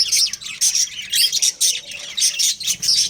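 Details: Pet budgerigars, a breeding pair, keep up rapid high chirps and scratchy warbles in short bursts, separated by tiny gaps, in a small indoor space.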